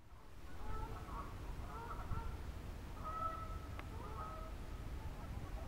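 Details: Two ring-billed gulls on the St. Lawrence River at Boucherville, Quebec, give harsh, nasal mewing calls in overlapping bursts about once a second over a steady low rumble of wind or traffic.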